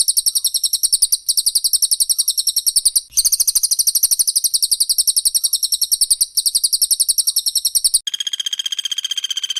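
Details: Cililin or Pelatuk Bawang in a close-fire songbird training recording: long runs of fast, bright, high chips with short breaks, switching at the end to a lower, steady buzzing trill.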